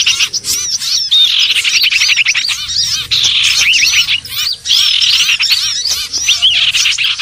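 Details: Common iora (cipoh) trapping lure: rapid strings of ticking chirps and arched whistles crowd together, with several brief dips in loudness between energetic bursts.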